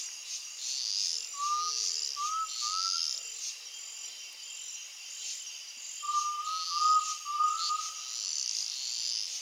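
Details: Undulated tinamou singing at sunset in the countryside: two series of soft, low whistles, each note rising slightly and given three or four in a row, over a steady high chorus of insects.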